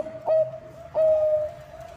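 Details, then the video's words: Bangkok zebra dove song used as a lure for other birds: a short sharp coo, then a longer sustained, slightly wavering note on the same pitch, with soft cooing behind. "Perkutut bangkok gacor suara cocok untuk pancingan"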